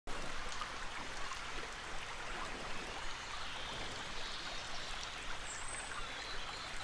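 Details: Rushing stream water fills the recording with steady broadband noise; no animal voice stands out.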